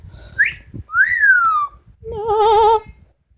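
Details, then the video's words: Amazon parrot at home whistling a quick rising note and a long descending whistle, then holding a strong vibrato tone. Music plays faintly in the room. "The many sounds of Lily, an amazon parrot"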